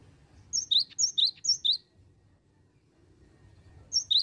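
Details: Singing cinereous tit used as a lure: five fast high two-part phrases, a piercing top note sliding into a lower rising whistle, then silence and the phrase starting again at the end, with soft low hum behind.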